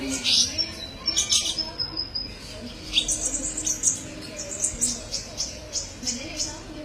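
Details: Kolibri ninja sunbird as a tutor for songbirds: a long string of rapid, high tinkling chirps, repeated several times a second in bursts, over a faint low background hum.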